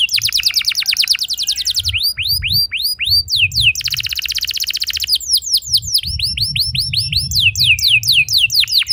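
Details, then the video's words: Lure song of a canary meant to spur other canaries into long rolling song: rapid sweeping notes in runs, a dense buzzy trill near the middle, then more swooping repeated whistles, with a low rumble underneath. "Seketika Burung Kenari Lain Ikut Gacor Ngeroll Panjang! Pancingan Ampuh Kenari Paud"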